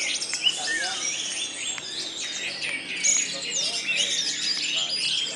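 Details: Orange-headed thrushes singing against each other at an Indonesian songbird practice contest: dense overlapping clear whistles, slurred upward and downward sweeps and quick chattering notes, with several birds calling at once.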